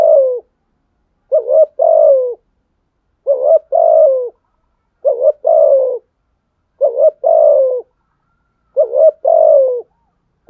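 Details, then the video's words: Challenge cooing of a spotted dove toward rivals. Steady phrases repeat roughly every two seconds, each a quick lead note and then a longer, low coo that falls away. The recording is clean and silent between phrases. "Thúc gù chim cu gáy bài bản nhất hiện nay. gù thúc bài bản, kích bổi rất riêng gáy, cu đất gù đấu"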